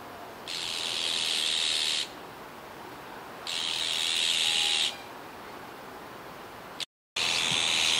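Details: Young azure-winged magpie recorded at Kiba Park, 17 July 2019: drawn-out rasping hisses lasting over a second each, three in a row separated by pauses, with a steady low hum of background noise.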